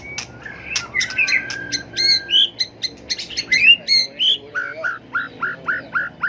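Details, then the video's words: Fighting song of a tail-flicking white-rumped shama used to provoke rivals: mixed whistles and clicks, a long flat whistle, then a run of about seven repeated downslurred notes, evenly spaced. "chòe lửa tạch đuôi hót đấu kích chim cực đỉnh, luyện chim hót đấu hay"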